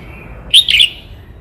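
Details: Brief, ringing two-note whistled phrase of a red-whiskered bulbul from Cao Bằng, Vietnam, sharp and loud against a quiet background.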